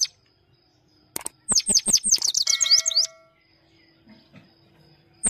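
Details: Himalayan goldfinch delivering a rolling song: a quick run of high, liquid twittered notes lasting about two seconds, rising and falling rapidly, then near silence with faint background hum.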